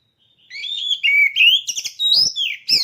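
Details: Caged oriental magpie-robin kept for singing contests, ready for competition: loud clear whistled phrases, sliding up and down, followed by sharp rapid chips and bright rising whistles.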